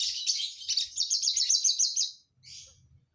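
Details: Singing Javan bush lark from Jombang, East Java, Indonesia, delivering a fast series of sharp, high repeated chirps for two seconds, then a brief pause and a short buzzy burst over a low background hum.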